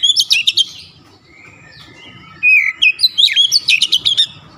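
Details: Oriental magpie-robin (kacer), a stressed bird, with quick sharp chips, soft thin warbling, then a lively stream of rapid whistled and chattered notes.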